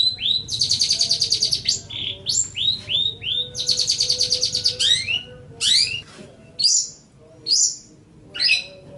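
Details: Long-tailed shrike song used to train other caged birds, mixing long harsh rattling buzzes with upward-sweeping whistled notes, then spaced single chirps toward the end.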